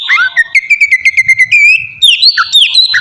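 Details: Short stretch of oriental magpie-robin lure song aimed at provoking other birds: a rapid series of clipped notes, about a dozen in quick rhythm, followed by higher sweeping whistles.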